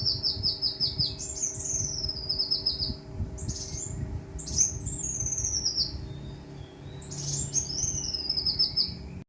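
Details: Brown-throated sunbird, Kalimantan, giving rapid strings of high, downslurred notes broken by sharp bright bursts, each phrase a trill of many quick repeated notes lasting one to two seconds, with a low steady hum throughout.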